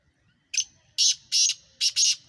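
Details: Black francolin (kala teeter) from Sindh, Pakistan: a short series of five harsh, grating, high bursts, one single note then two paired groups, in otherwise near silence.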